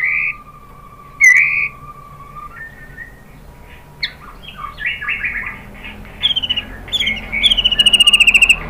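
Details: White-rumped shama song used to provoke other birds: a long steady whistled note with an overtone, then scattered soft notes building into rapid, bright chattering phrases and a fast high rattle at the end.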